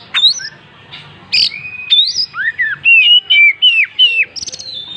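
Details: An Oriental magpie-robin in full song, tail spread open, gives a string of loud, clean whistles, mostly downward-curving slurs repeated about twice a second after a few opening notes.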